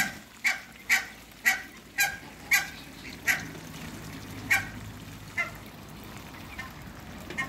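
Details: Short, hoarse, evenly spaced calls from Muscovy ducks on a farm, about two per second at first, then slowing and thinning out into quieter, scattered notes against low background rumble.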